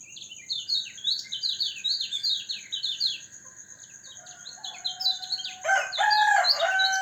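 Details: White-eye (kecial kuning) kept in a cage and put out in the morning dew for health and a stronger voice: fast, high twittering chains of quick downslurred notes, ending in a louder, lower harsh chattering burst.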